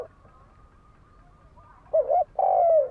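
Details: Spotted dove cooing as a lure to provoke fighting: a thin high note from another bird in the background, then a wavering short coo and a long, gently falling coo.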